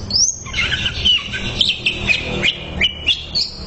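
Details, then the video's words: Training recording of a greater green leafbird: a rising whistle, then a run of bright warbled notes broken by sharp downward chirps, with faint low hum behind. "MASTERAN CUCAK IJO SANGAT MAHIR UNTUK TERAPI"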